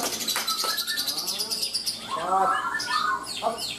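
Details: Lovebird singing in a contest at Kedai Langu, Kaltara, entered as 'paud'. Quick high chirps and twittering bursts with brief harsh notes, over crowd murmur and a spoken countdown.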